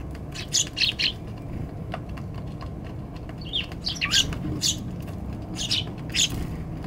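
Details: Eurasian tree sparrows on a balcony, fed sweet potato on 16 December 2020, giving short bright chirps in loose bursts every second or so over a steady low background hum.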